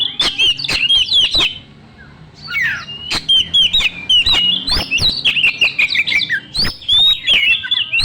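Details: Energetic song from a young wild Oriental magpie-robin, used as a lure to stimulate other birds: bursts of bright whistled notes and sharp clicks, a brief quiet gap, then fast repeated slurred whistles.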